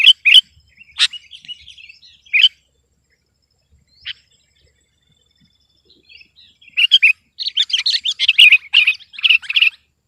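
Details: Sooty-headed bulbul in persistent rival-pressuring song. A few sharp chirps and short twitters open, followed by a long near-silent gap, then a dense, fast run of chattering notes toward the end.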